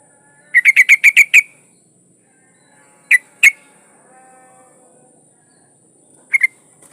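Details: Breeding female yellow-vented bulbul calling to a male: a rapid string of six sharp chattering notes, then scattered single and paired notes with long gaps; faint low tonal hum in the background.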